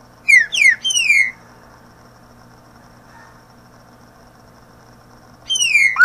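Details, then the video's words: Green-winged saltator song, played to teach young birds to sing: a short burst of clear, sharply falling whistled notes, then a long quiet gap before another downslurred whistle begins at the end. "CANTO DO TRINCA FERRO PARA ENSINAR FILHOTES A APRENDER A CANTAR"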